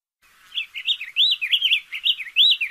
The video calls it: Cardenal Azul Cantando - Diademed Tanager Singing